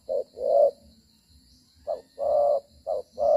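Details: Cooing spotted dove acting as a trapping decoy, moving and fighting: a short note then a longer throaty coo, a pause, then more short-long pairs, with a low faint rumble and a high steady hum.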